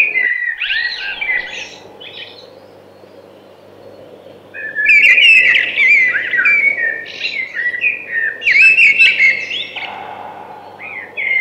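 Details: Thrush singing, delivering varied, clear whistled phrases with quick trills and slurred notes, a short pause after the first phrase, then a longer rich run of rising and falling warbles; faint low background hum.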